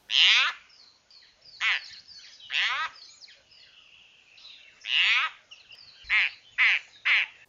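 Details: A Southern African Broad-billed Roller gives harsh, grating, rasping bursts, about seven in quick irregular succession, with fainter chattering notes between them.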